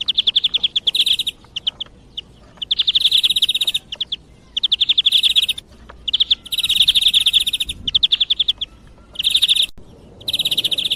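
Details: European greenfinch singing, a recording meant to lure birds for hunting. Bright trills of one to two seconds alternate with clipped short notes at a steady high pitch.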